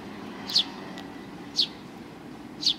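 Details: Sparrows arriving to be fed on the front approach of a Tenmangu shrine, 29 May 2020; three short, bright, down-slurred chirps spaced about one second apart over a low steady background hum.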